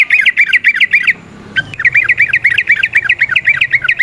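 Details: Yellow-vented bulbul in the wild, long rapid 'ropel' chatter used as a lure recording: fast bursts of bright, slightly warbled chirps that pause briefly, then resume as a steady stream of similar notes.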